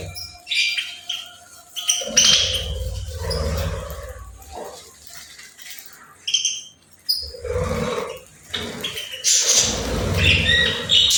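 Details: Lively bird chatter in bursts of squeaky chirps and warbles separated by short pauses, mixed with low rumbling thuds.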